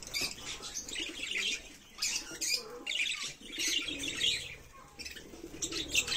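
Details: Many budgerigars in a breeding colony on a bird farm, calling at once as a continuous, dense chatter of high, scratchy warbles and chirps that rises and falls in bursts.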